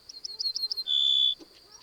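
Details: Ortolan bunting recorded in 2010 in the Cévennes, France, with a parabolic reflector and digital recorder: five quick, high, clipped notes followed by one longer, steady, slightly lower whistled note, then faint background noise.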